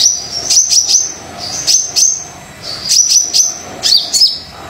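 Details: Brown-throated sunbird in full song, a lure recording for quiet sunbirds: high-pitched whistled notes joined by quick dry ticks, grouped in clusters of three with brief gaps.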